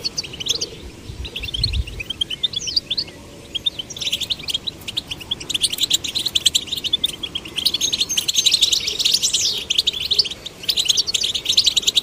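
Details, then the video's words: Goldfinch song played to stimulate male and female goldfinch chicks to sing: dense, rapid, high tinkling twitter with buzzy trills, briefly pausing after four seconds, then resuming even busier; a soft low thump near the start. "Stimulating male and female goldfinch chicks to sing birds chirping"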